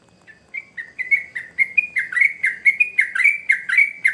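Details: Sooty-headed bulbul in energetic, nonstop song, played as a lure for young birds: a fast run of short bubbly, slurred whistled notes, starting sparse and then repeating about every quarter second, getting louder.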